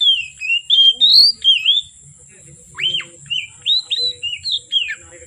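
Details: Oriental magpie-robin singing steadily, with the song said to run from afternoon into dark night: clear whistled phrases, some sliding up and others down, in quick bursts. A steady high whine runs underneath.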